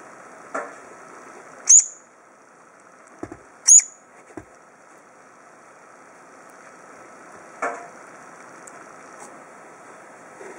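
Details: A Brown-eared Bulbul nestling, taken in temporarily after being found calling at a front door, perhaps fallen from its nest in a typhoon, gives two thin, very high squeaks about two seconds apart amid soft knocks and handling noises.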